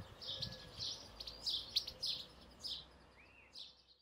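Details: Lively twittering of a European goldfinch in song: quick high chirps and short buzzy trills, thinning out toward the end with one softer rising note.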